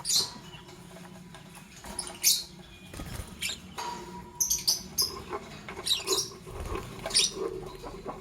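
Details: Lovebirds, a green Fischer's and a pastel blue, chirping in the morning: sharp, high squeaky chirps in short irregular bursts every second or two, with some quieter lower rustling and faint background hum between calls.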